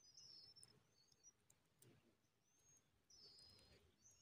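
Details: Around a cisticola carrying a big winged insect to feed its young, thin, very high squeaky notes, some sliding slightly, come in short bursts every second or so, over a soft hiss of outdoor background noise.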